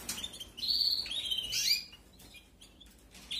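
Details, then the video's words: Canary chicks being fed during the 2021 breeding season in an aviary: two short, rising bursts of high, thin cheeping in the first two seconds, then near quiet with faint chirps, and a brief cheep again at the end. "QUE BONITA ES LA CRIA, CEBANDO 🐣🐣🐣. CRIA DE CANARIOS 2021."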